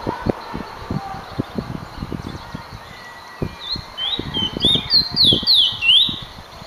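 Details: Dull thumps and tapping dominate at first before a finch, called emprit, breaks into quick, high, slurred whistles toward the end.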